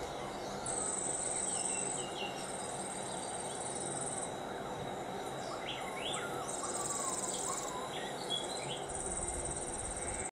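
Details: Wild Cuban grassquits in Soroa, Pinar del Río, Cuba, during trapping: thin, very high buzzy trills in bursts of about one and a half seconds, several in sequence, with scattered short chirps over a constant hiss of background noise.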